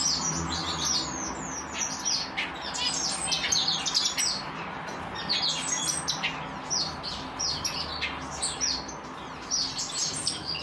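African silverbills chatter in a busy flock, with many high, thin chirps and short twittering notes overlapping without pause over a faint low hum.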